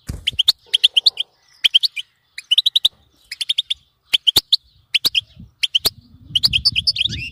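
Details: Goldfinch babbling song intended to keep a pet goldfinch singing: crisp high chirps grouped in threes and fours, a pause every second or so, ending in a livelier twittering burst over low noise.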